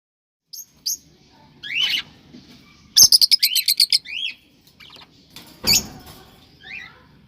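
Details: Cockatiels giving a mating call meant to stimulate breeding: sharp high chirps and rising whistled notes, then a fast burst of about eight clipped pulses near the middle, followed by scattered chirps and a final downslurred whistle.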